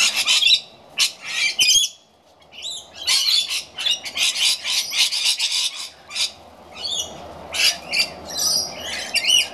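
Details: Afternoon feed of rainbow lorikeets: a flock's strident squawks and metallic chatter in rapid overlapping bursts, with one short pause and then steady screeching to the end.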